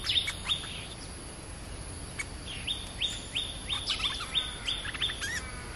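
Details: Stripe-throated bulbul used as a caged decoy bird for trapping, tried in a new decoy cage: short, high, downslurred notes repeated about three times a second in uneven bursts, with faint background hiss.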